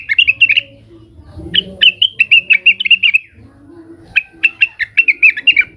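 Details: Leafbird (cucak wilis) in an agitated state, calling rivals: rapid series of sharp, high chirps repeated in three runs, notes crisp and evenly paced, with a soft low rumble between bursts.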